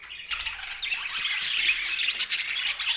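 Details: Budgerigar chatter: busy, high-pitched twittering and scratchy squawks from several birds, getting louder after the first second.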